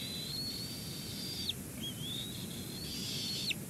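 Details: Bald eagle at a Two Harbors nest, filmed by a live nest cam on 8 June 2022 as a chick branches onto a rock. Two long, thin, high whistled notes, each held level before a sharp downward flick, over steady background hiss.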